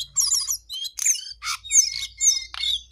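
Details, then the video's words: Jongkangan singing energetically: rapid, high-pitched chirps and twittering notes in bursts of about half a second, with brief gaps between phrases and a faint low hum underneath. "Jongkangan GACOR DOOR"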